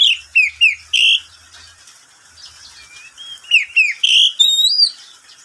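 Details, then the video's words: Midday song of a pet oriental magpie-robin: clear downslurred whistles and rapid high chirps in quick succession, then a pause and a second burst ending in looping whistled notes. "Suara burung Kacer di siang hari"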